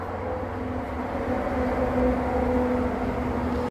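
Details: Steady engine or vehicle rumble with a low hum and faint tonal drone throughout, no animal voices, ending abruptly.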